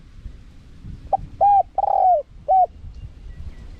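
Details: Spotted dove lure call in the 'karom pa' wild manner with 'khat', 'nun' and 'ku ang' parts, small voice. A soft lead-in, a steady coo, a longer sagging coo and a short last coo, over faint low noise.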